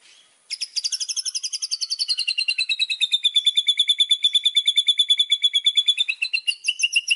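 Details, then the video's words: Buzzy high trill in a white-rumped shama's filler-phrase song: an unbroken rapid pulsing series that slowly drops in pitch over about six seconds, with a slight rise near the end. "BURUNG MURAI‼️ SUARA ISIAN KUMPLIT"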